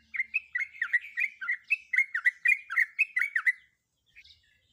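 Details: Breeding-condition female sooty-headed bulbul calling a male, used to encourage ropel song; a rapid burst of slurred, chirping notes for several seconds, then silence with a faint short call.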